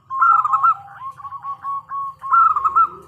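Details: Female local zebra dove calling a male as a lure. Two loud bursts of rolling coos frame softer, clipped notes in between.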